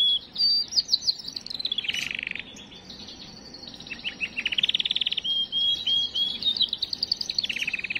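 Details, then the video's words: Canary singing to stimulate females: slurred whistles, a buzzy descending trill, a quieter pause, then fast rolling trills and repeated whistled notes in a long varied song. "اقوى تغريد كناري للتسميع وتجهيز وتهييج الاناث"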